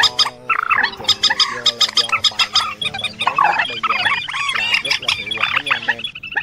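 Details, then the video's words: Lure sound for night net trapping of migratory birds, identified as trích ré, quốc mốc and quốc biển, August 2023; busy overlapping nasal wavering calls and fast rattling clicks, repeated roughly every half second. "Tiếng Trích Ré , Quốc Mốc , Quốc Biễn Bẫy Lưới Đêm Chim Di Cư"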